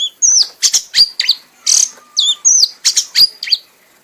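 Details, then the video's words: Frenzied singing from an award-winning caged red-whiskered bulbul that keeps going until worn out. Bright, high-pitched warbled whistles with quick falling slurs and snappy click-like notes come in rapid bursts, separated by short gaps, with no other sounds. "kanis merah bunyi sambil mabok sampai lemas"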